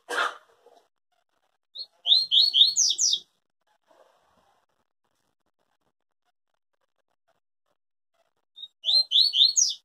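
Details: Yellow-bellied seedeater singing the pure Tui Tui song style, said never to break in its song: two quick bursts of high, sharp, slurred whistled notes, each about a second long, separated by silence, with a short noise at the start.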